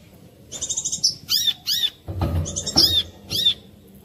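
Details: Brown-throated sunbird, clear lure song to make other sunbirds sing: rapid high trills followed by arched, swooping whistles, with a brief low rumble partway through.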